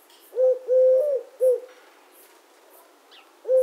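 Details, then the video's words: Eurasian collared dove (Streptopelia decaocto) giving its soft three-note coo, short, long, short, low and hollow, repeating after a two-second pause; faint twittering far behind. "The sound of the Collared Dove"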